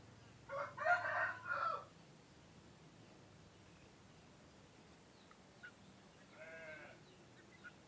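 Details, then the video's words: Male laying-breed chicken giving its morning crow, which signals day beginning. Three loud pulsing harmonic syllables over about 1.3 seconds, then near silence and a fainter distant crow-like call near the end over a low hum. "SUARA KOKOK AYAM PEJANTAN // the sound of a rooster crowing"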